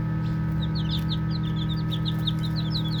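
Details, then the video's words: Playful baby chicks chirp in a string of clear, high, slurred peeps, several voices overlapping in quick succession, with a persistent low hum beneath. "Baby Chicks Chirping Sounds"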